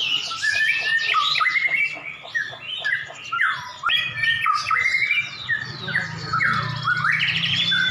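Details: Two champion white-rumped shamas (Copsychus malabaricus) are set against each other in a song duel: a rapid stream of rich, varied whistles and sweeping rising and falling phrases with harsh chattering notes, over a faint low hum.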